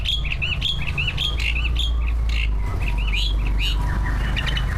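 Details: Greater green leafbird, a captive competition songbird, singing a fast string of looping whistled notes high in pitch, repeated several times a second, over strong low hum.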